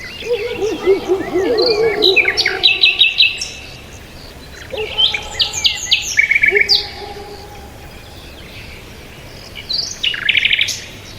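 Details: Birds chirping with several voices: a lower wavering warble at the start, high clipped twitters and buzzy bursts, then quieter gaps with occasional short notes over steady background hiss.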